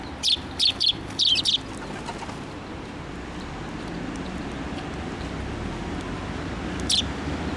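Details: Sparrows fly in to take food from a post at a Tenmangu shrine on 25 April 2024. Bursts of high, sharp chirps cluster in the first second and a half, then a long hush under steady low background hum before one last chirp.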